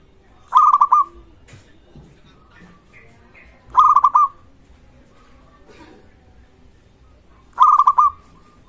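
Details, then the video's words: Zebra dove of local stock calling vigorously, a call used to rouse other zebra doves to call and raise rivals' arousal: three short bursts of quick, rolling coo notes spaced about three and a half seconds apart over light background noise. "perkutut Lokal gacor suara ini sangat cocok untuk masteran pancingan semua jenis burung perkutut"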